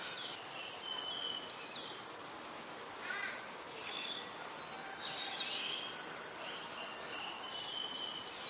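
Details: Malaysian pied fantail, a very common resident, in Ubon Ratchathani, Thailand, on October 14, 2021, around 5 PM; thin high whistled notes, some sliding, repeated in short phrases over steady background hiss.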